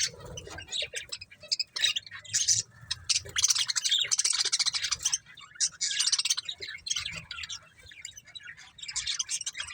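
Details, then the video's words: Breeding pair of budgies in near-constant busy chatter: dense scratchy warbling and chirping that runs almost without break, swelling in loud clusters. "Cute Budgies Chirping Sounds"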